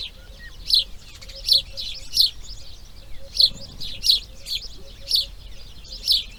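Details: Grey heron nest on breeding day two: quick, high, scratchy ticks repeated in an uneven series about every half to one second over a faint low hum.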